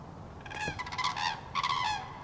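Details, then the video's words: Common cranes calling in autumn 2023: loud, rolling trumpet-like notes rich in overtones, given in two harsh, vibrating bursts separated by a short pause, over a faint low background hum. "Klęgor żurawi - Jesień 2023"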